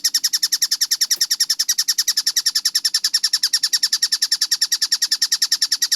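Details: Fast, densely spaced collared kingfisher (tengkek buto) song recorded clearly for bird training. Piercing scratchy notes pulse steadily at roughly three and a half per second with little else heard.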